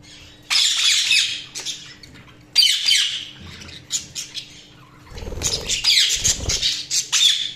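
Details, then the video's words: Budgies chirping: bursts of high, scratchy chatter and warbling squawks with short twittering notes in between. A few soft low knocks are heard in the background. "Budgies Sounds| Budgies Chirping sound"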